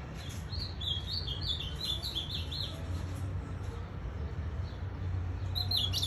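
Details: Kept ultramarine grosbeak singing pelado: a rapid warbling phrase of high chirped notes early on, then quiet with low hum, and a few notes returning at the end.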